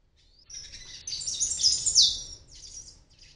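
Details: Fledgling palm tanagers making their first flights from a nest in an oregano plant, ninth-floor apartment, Medellín, Colombia; a dense run of very high, squeaky chirps and twitters, loudest near the middle, then a few scattered notes trailing off.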